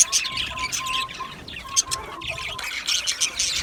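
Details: Budgerigar chirping with bursts of quick high twitters and clicks, separated by a level steady whistled tone that comes and goes, then a livelier flurry of chirps at the end.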